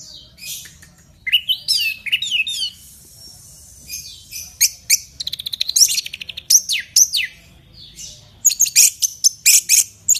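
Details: Loud, varied song of an orange-headed thrush, played to prompt a bird into singing: sweeping whistled phrases, sharp high chips and a fast buzzy trill, delivered in bursts separated by short pauses over a quiet background.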